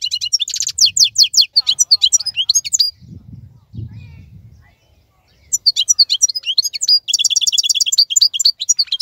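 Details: European goldfinch of the wild type, still singing actively while other birds are silent and moulting; rapid twittering, buzzy and tinkling high phrases, a pause midway with low rumbling background noise, then fast trilled notes resume.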